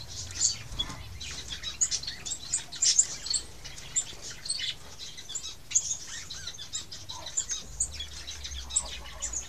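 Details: Two white-headed munias and a hybrid white-capped munia × society finch give thin, high chirps, short and frequent across the whole stretch, calling together over a faint low rumble.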